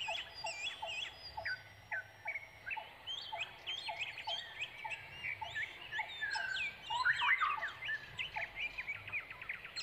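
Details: Brown Prinia (Prinia polychroa) chicks beg eagerly while awaiting a parent returning from foraging for food, in a busy, overlapping chorus of thin, high chirps and short squeaky notes, several callers at once, nearly three notes per second.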